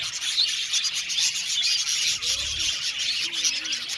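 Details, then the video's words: Many budgerigars kept together in an aviary, chirping and warbling in a thick, unbroken chorus of high-pitched twitters, with a few clearer whistled squeaks standing out. "budgies chirping sound"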